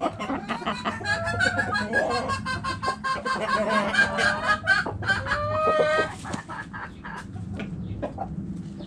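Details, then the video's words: Hens and roosters in a backyard chicken coop, a dense chorus of rapid clucking from several birds with a longer harmonic call, fading to scattered clucks over a low hum. "Backyard Chickens Relaxing Video In The Chicken Coop! Sounds Noises Hens Clucking Roosters Crowing!"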